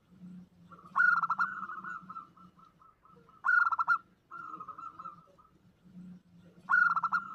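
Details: Lure call of a female zebra dove calling a male: loud bursts of rapid stuttered notes about every three seconds, each trailing into softer evenly spaced coos, over a low hum.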